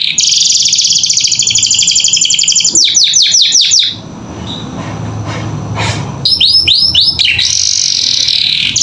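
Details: Canary in lively, filled training song for young birds: a long fast buzzing trill and quick downsweeps, a short quieter pause, then arched notes and another buzzy burst.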